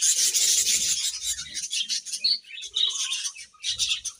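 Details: Budgies give a harsh, rasping morning chatter, loud from the outset. Grating buzzy notes blend with short high chirps and several brief dips in between.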